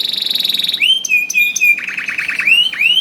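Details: Canary song used to prompt other canaries to sing: a rapid high rattle, then clear ringing whistles and rising swoops, followed by a rolling trill of chopped notes.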